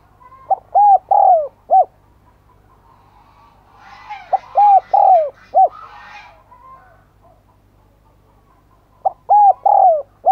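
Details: Spotted dove used as a decoy, calling to lure other doves: three repeated phrases of deep, hollow coos with a longer falling note in each; the middle phrase overlaps a burst of higher chattering sound.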